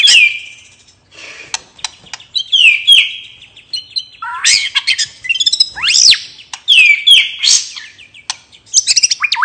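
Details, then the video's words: White-rumped shama (murai batu) giving a relaxed ngeplong song used to provoke other birds to sing: varied high sweeping whistles, harsh squawk-like notes and quick chattering phrases, nearly continuous throughout. "suara murai batu ngeplong santai bikin burung bahan/macet cepat bunyi dan gacor lagi"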